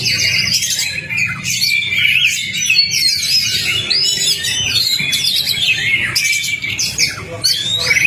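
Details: Kacer, the Oriental magpie-robin, in a lure recording meant to trigger a quiet bird: continuous bright warbling with upward and downward whistled sweeps and quick trills, over a low background hum.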